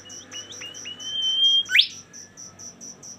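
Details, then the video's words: Bimoli singing a run of short notes that jump upward, then a level high whistle ending in a bright steep sweep, with insects pulsing steadily throughout. "suara super mewah burung bimoli"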